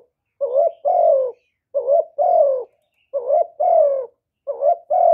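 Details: Spotted dove giving its cooing call in a noise-free recording aimed at stimulating kept doves; four phrases, each a short upswept note followed by a long, mellow, falling coo, spaced about a second apart.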